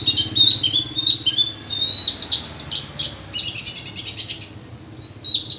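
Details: Oriental magpie-robins in a wild singing duel with rivals: loud, varied whistles and sweet slurred phrases in quick bursts, against a faint low hum.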